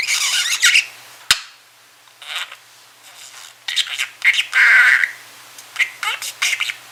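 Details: Pet budgerigar, a talkative male kept indoors, mumbling while trying to nap: soft bursts of raspy, warbling chatter with brief squeaky notes, separated by quiet pauses in a small room.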